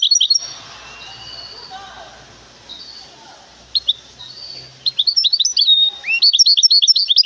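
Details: Caged goldfinch hybrid from the city of Temara, shown at a bird market, giving short bursts of high, rapid twittering and trilled notes separated by pauses, with faint speech and market murmur in the background.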